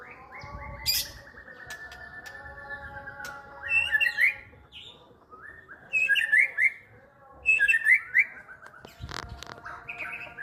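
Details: White-rumped shama delivering a lively song of clear whistled and chattering phrases, some notes sweeping upward, in bursts roughly every two seconds over a faint background hum, with a sharp click near the end.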